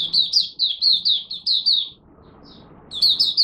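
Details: Oriental white-eye, a Malaysian cage bird, in its first warm-up of the morning. Quick high, slurred chirps run for two seconds, then a brief lull with faint murmur, and the chirping resumes.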